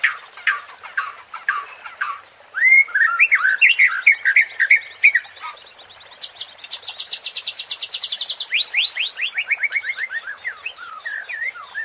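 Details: Long white-rumped shama song meant to stir up competition birds: sharp chips, a warbled whistled phrase, a fast steady high trill, then descending sweeping whistles.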